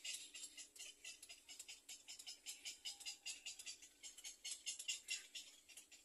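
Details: Nestling little egrets begging while waiting to be fed: a fast, rattling series of harsh, hissy clicks, roughly two to three per second, steady and insistent, with a faint low hum beneath.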